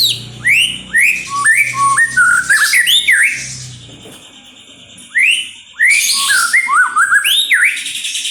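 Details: Lure recording of a white-rumped shama singing to draw out other birds: two bursts of melodious whistled phrases with rising sweeps and warbled turns, split by a short pause. A faint low hum runs beneath the opening.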